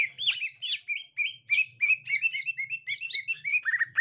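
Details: When a captive 'gotri' green leafbird meets a young wild one, loud rapid chirps and upslurred whistles pour out in quick succession, closing with a few lower falling notes.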